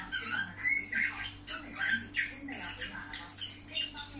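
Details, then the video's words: Budgerigar warbling in uneven pulses, short squawky notes and clear whistled slurs alternating with raspy clicks, about one louder burst every half second, over a faint hum. "Kiwi singing"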